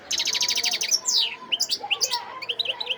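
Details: European goldfinch singing in Sidi Bel Abbès, Algeria, 17 December 2021: a fast regular trill of about ten chirps, then a descending buzzy slur and varied liquid, whistled twitters.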